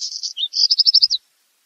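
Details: Black redstart: the close of a song phrase, scratchy buzzing notes giving way to a quick even string of about seven sharp high notes before it falls silent.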